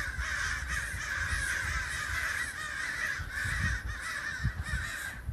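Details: Gathered flock of crows, heard from inside a home, cawing constantly: rough, grating calls overlap into a dense, unbroken chorus with some low rumbling underneath.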